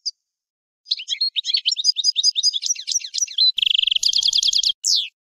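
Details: European goldfinch in sustained song: a long run of rapid, tinkling, varied twittering notes leading into a dense buzzy trill and a final downward-sliding squeal, delivered continuously for about four seconds.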